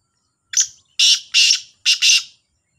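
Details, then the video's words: Kala Sindhi teetar, the black francolin, competing with a second bird: one clear harsh phrase of five buzzy, scratchy notes, a short first note then two paired longer bursts, in otherwise silent surroundings. "2 تیتروں کا بولائی کا مقابلہ | kala Sindhi Teetar ki Awaz | Black Francolin Voice"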